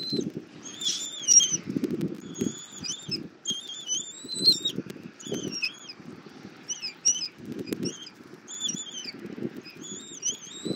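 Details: Bald eagle, nest camera in Southwest Florida, 08:41 on 2024-02-24, mother feeding the eaglet an armadillo for over 40 minutes: a run of short high whistled notes, some rising and some falling, in loose irregular groups, with low rustling.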